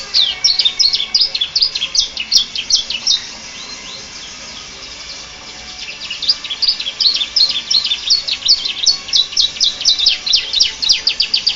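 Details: Canary singing a prinia-style song in two bursts of fast high chirping notes, separated by a few seconds of near silence, the second burst longer and quickening.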